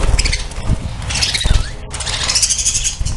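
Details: Budgerigars in a breeding colony, many birds chattering together in a dense mix of high, scratchy chirps and warbles, with steady low rumbling and handling noise underneath and a brief break near the middle.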